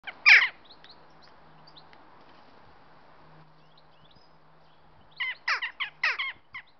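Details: Jackdaws waiting in line give a loud, sharp 'chak', then after a quiet pause a quick run of about six short, metallic calls, over a low hum underneath.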